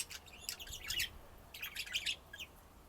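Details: Budgerigar chatter in two dense bursts of rapid, scratchy chirps and squeaks, separated by a short pause, with a single brief chirp trailing after.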